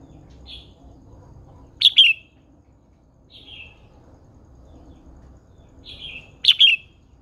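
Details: Red-whiskered bulbul, an old wild-caught caged female used to spur males into song. Soft single whistled notes alternate with brief, louder bursts of two or three bright chirps, spaced unevenly over several seconds against a quiet, steady background.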